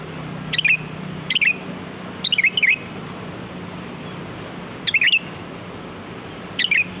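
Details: Sooty-headed bulbul in the wild, its song used to lure birds: five short, bubbly whistled phrases, each a quick rising-falling flourish, spaced irregularly one to two seconds apart over a faint low hum.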